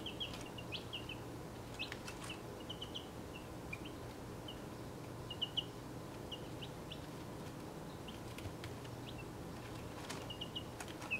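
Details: Young chicks, 1.5 weeks old and of six breeds, sit in a travel box, giving sparse, soft high peeps in small clusters across a long, quiet stretch with faint clicks and a constant background hum.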